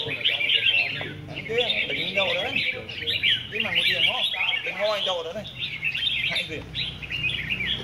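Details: Red-whiskered bulbuls at a singing competition in Vietnam, many birds singing together: dense overlapping whistled warbles and chirps, bright and high, with faint voices and background chatter throughout.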